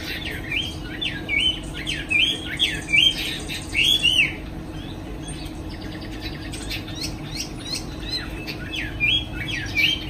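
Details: Afternoon song of a caged Chinese hwamei shown flapping its wings: clear, looping whistled notes in bursts, strongest early on, then a pause of scattered softer notes and a final whistled burst, over a low hum.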